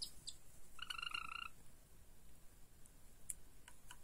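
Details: A 49-day-old Java sparrow gives one steady, reedy note lasting under a second, with a few faint ticks and soft room hiss around it.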